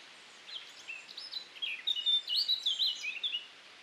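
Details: Male Eurasian blackcap singing on a very windy June day in 2019, Wiltshire, UK: a rapid, varied warble of high chattering notes builds over three seconds into louder, clearer fluty phrases, over a soft background hiss.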